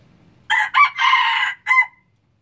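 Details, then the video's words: Red junglefowl from Laos crowing: a loud, harsh four-part crow with a short opening note, a second burst, a long drawn-out middle phrase and a clipped final note, over a quiet background. "Lao red jungle fowl"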